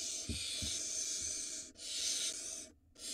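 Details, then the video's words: Barn owl at a nest in Israel, filmed by a live nest camera while the male hands the female a mouse for the nestling. Two long, breathy, broadband hisses fill the clip, separated by a brief silence, with soft low thumps underneath. "Dad hands off a to Mom a mouse for the barn owl nestling"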